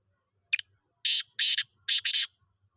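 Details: Young black francolin, five months old, giving its first calls: a short clipped note followed by four rasping, buzzy bursts in two close pairs, clean background.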